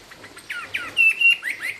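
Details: Chinese hwamei delivering "cao cầu" song, a straight song: a loud, clear burst of down-swept whistles followed by sharp, bright sustained notes and quick slurred phrases, all high-pitched over a quiet background.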